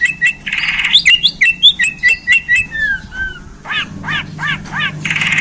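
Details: Borneo white-rumped shama in a cage, just handled, pours out a fast varied song: rapid chirps and squeaky notes, a few descending whistles, then repeated harsh rasping phrases.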